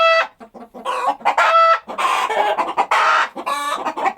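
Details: Chickens on a countryside farm clucking: short, choppy clucks mixed with longer, nasal, harmonic squawks, overlapping and irregular.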